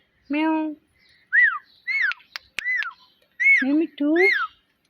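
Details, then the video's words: Pet parrot imitating a cat's meow and words, alternating low harmonic meows with arched whistled notes, about six sounds spread across a few seconds with a click in between. "Cute Talking Parrot Video"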